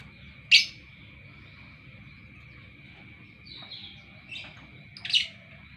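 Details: Sparse morning lovebird chirps: a sudden sharp rasping note, quiet pause, a few soft scratchy notes, then a second harsh chirp, over a faint steady whine.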